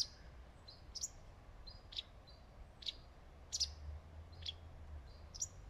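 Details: A wagtail perched on a branch in the shade of leaves gives short, thin, high chirps, about eight scattered over six seconds, some doubled, over a soft low background hum.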